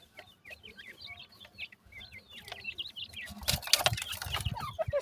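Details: Francolins (teetar), listed as grey and brown types, possibly chicks: rapid, high, chirping notes overlap from several birds for about three seconds, followed by loud rustling and handling noise.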